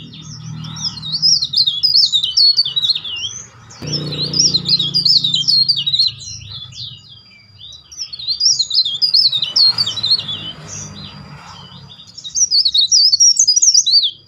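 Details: Leaf warbler song used as a master recording for training songbirds, described as dense with loud shrill whistled rolls: rapid high thin twittering phrases in bursts, pausing briefly around seconds 7 and 12, with a low background hum and faint rustling.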